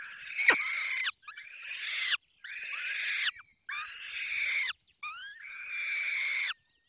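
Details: Falcons being fed at their nest in the Barycz Valley give loud, grating, scratchy calls of around a second each, separated by short silences. Some calls start with quick upslurred squeaks, and a sharp knock sounds near the start.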